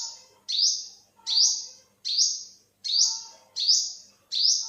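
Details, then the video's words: Olive-backed sunbird calling: a series of seven sharp, high, piercing notes, each starting with a quick upward flick and then holding a thin bright tone, repeated about every 0.7 seconds, with faint lower notes in the background. "เสียงนกกินปลีอกเหลือง Olive-backed sunbird, Yellow-bellied sunbird"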